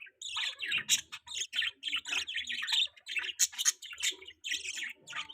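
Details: Pet baby budgie chirps in rapid, closely spaced high squeaky notes, forming an almost continuous twittering stream with a faint low tapping beneath.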